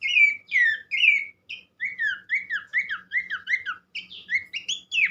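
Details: Abbott's babbler singing clearly, used to prompt other babblers to sing: a steady run of rich, downslurred arched whistles about three per second with higher thin overtone notes, ending in rising whistled phrases.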